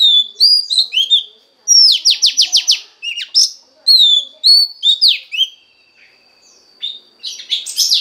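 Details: Female Oriental magpie-robin singing to stimulate a male: varied whistled phrases with sharp downslurred notes, a rapid series of six buzzy descending strokes, and scattered high chirps separated by short pauses.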